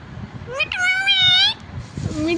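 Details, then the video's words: Talking pet parrot from India repeating "mummy" and "Mithu": a brief upward-sliding syllable, then a held, bright, buzzy word lasting nearly a second, a pause, and a softer rising phrase, over low background rumble. "मिठू मम्मी बोलने वाला प्यारा तोता | मम्मी पापा बोलने वाला तोता l Parrot Sound Video"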